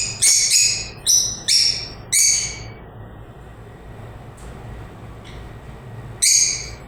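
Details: Lovebirds chirp in sharp, piercing bursts. Four calls come in quick succession, then a pause with faint distant chirps, then one more loud shriek. Low hum sits in the background.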